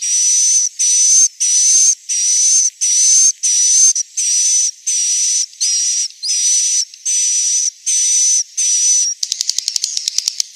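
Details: Central Sulawesi swiftlet roosting sound: steady rhythmic high buzzy bursts, roughly one and a half per second, each with a thin level whistle inside, ending in a fast rattle of clicks.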